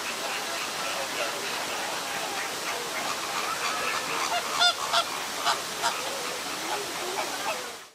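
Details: Two greater flamingos fighting with their beaks in a minor squabble, likely linked to breeding, give loud, nasal, goose-like honks in a quick burst near the middle, over a steady hubbub of many more flock calls.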